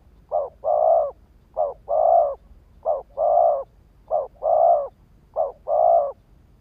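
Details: Spotted dove decoy call for luring males: a steady series of five paired coos, a short clipped note followed by a longer mellow hoot, repeated about every 1.2 seconds.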